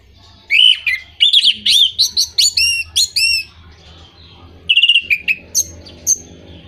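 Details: Orange-headed thrush song used to coax moulting or unmotivated birds into singing: a dense phrase of rising and falling whistled notes with sharp upswept chirps, a pause, then a shorter varied phrase, over a faint low hum.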